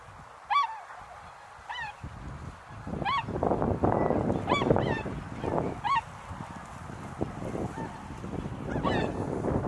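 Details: Tundra swans, seemingly many this year, at snowy Azumino, Japan, in 2023 on a cloudy -4°C day, give high, nasal bugling honks, each slightly bent in pitch, about every one to two seconds, over a steady low rumble.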